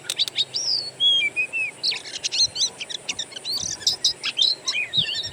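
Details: Natural birdsong played as an Oriental magpie-robin lure to make a kept bird sing: long sweeping whistles mixed with rapid clicks and chirps, forming a busy, continuous, varied stream.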